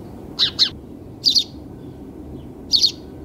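A sparrow gives short, high chirps, some doubled, spaced by pauses of about a second, over a soft low rumble.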